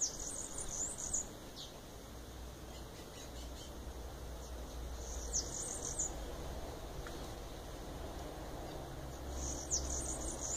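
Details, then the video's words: Bananaquit (cambacica) repeats a high, thin, wheezy trill of rapid notes three times, roughly every four to five seconds. Between phrases come faint scattered chips and a steady low rumble. "canto da cambacica"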